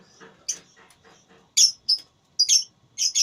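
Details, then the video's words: Lovebird in a voice battle makes several sharp, squeaky, high bursts, growing louder and closer together toward the end, after faint low chatter. "Lovebird Tarung Suara"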